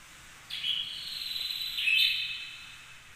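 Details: Canary model song for training other canaries: a sustained, high, even trill that holds steady, then swells louder halfway through and fades slowly.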